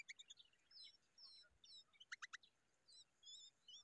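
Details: Common babblers (Argya caudata) raising a young bird give high, thin chirps and short whistled slurs, with a quick burst of four harsh, rasping notes midway.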